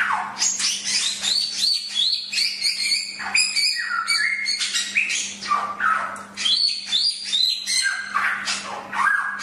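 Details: Chinese hwamei song from a bird-training recording: a rapid, varied run of loud whistled phrases, slurred notes, chirps and scratchy bursts that shift pitch constantly, with a faint steady hum behind.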